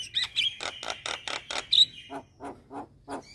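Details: Starling lure: a rapid series of harsh, rasping notes, each capped by a thin high whistle, then slower, lower scratchy notes about three per second, over a faint hum.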